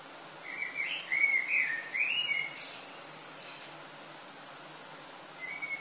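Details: Common blackbird singing before sunrise in summer at Lille, France, early August: one fluted, warbling phrase around the middle pitch range, ending in a few higher squeaky notes, then a brief new phrase begins against steady background hiss.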